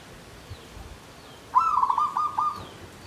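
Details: Caged zebra dove singing klabang kapipit, tumpang sari style in a bamboo cage: after near silence, a single clear phrase of choppy, purring coos, broken into several quick beats and lasting about a second.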